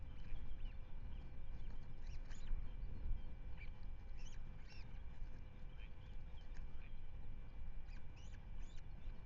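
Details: Faint series of short upslurred whistled chirps from ospreys at the Manton Bay nest, on 10 May 2025 webcam footage, coming in loose clusters against constant low wind noise.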